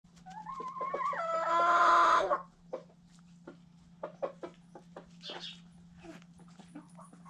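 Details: White Silkie rooster recorded close up: a loud, harmonic crow rising then holding steady for about two seconds, followed by a scatter of short, soft clucks and clicks against a steady low hum.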